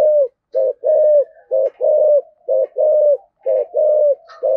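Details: Spotted dove giving 'giọng thổ' thúc gù coos to excite wild doves: a quick, forceful string of low, hollow coos, each slightly rising then falling, close together at about one per second.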